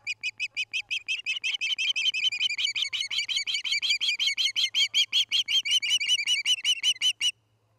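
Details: Osprey at a nest near Charlo, Montana, caught by a nest camera on the evening of August 29, 2018. It gives a loud, steady run of clear, slightly rising whistled chirps, about forty in seven seconds, then stops abruptly in quiet surroundings.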